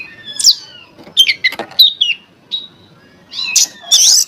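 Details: Oriental magpie-robin song meant to provoke other magpie-robins to sing: fast scratchy notes mixed with clear slurred whistles. A dense, harsh burst of notes ends the clip.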